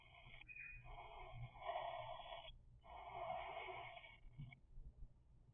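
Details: Two long, grating begging calls from three-week-old cockatiel chicks, each rasping buzz lasting about one and a half seconds, opening with a brief thin whistle, over a steady low household hum.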